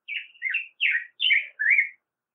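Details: Five warbled, slightly burry phrases from a black-headed grosbeak, each sliding through a middle-high pitch and separated by brief gaps, delivered steadily over two seconds in a clean recording.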